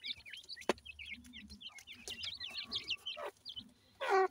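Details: Grey francolin chicks, called Indian Dakhni teetar, during feeding; quick runs of high, twittering peeps, a sharp click, and a short harsh burst near the end.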